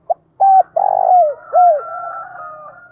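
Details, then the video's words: Decoy spotted dove gives one loud phrase of coos, a rattling rolled note and a falling end coo, while a thin high whistle carries on faintly behind. "Chim Cu Mồi gáy Gọi To Và Vang Nhất Xóm"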